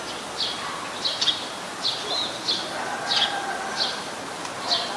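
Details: Eurasian tree sparrow, a very common resident, recorded in Ubon Ratchathani, Thailand on 10 May 2020, giving short bright chirps repeated roughly every half to one second, about eight in sequence, over a quiet hiss.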